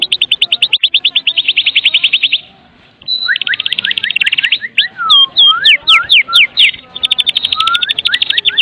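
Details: White-rumped shama from Medan in full energetic song, used to lure other shamas into singing: long rapid trills, a brief pause, mixed rising whistles and chatter, then sharp slurred notes and more trilling.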